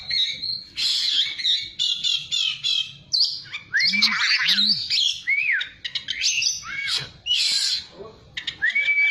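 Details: Oriental magpie-robin song meant to make a caged bird reply aggressively: dense, scratchy chattering with slurred whistles and short arched notes, busy and continuous throughout.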